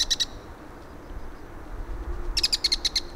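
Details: Bull-headed shrike recorded in autumn 2023 at Gongneungcheon stream, giving two short, grating bursts of rapid high chattering notes separated by about two seconds of quiet background rumble.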